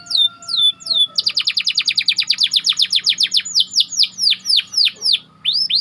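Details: White canary singing a tight rolling song used as training bait for other canaries: a few whistled downslurs, then a fast run of descending notes about five per second, ending in looser swooping notes.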